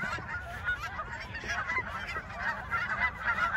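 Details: Geese honking as they take flight after being chased. Harsh, nasal calls overlap continuously, set against a hissing rush of wind or wingbeats.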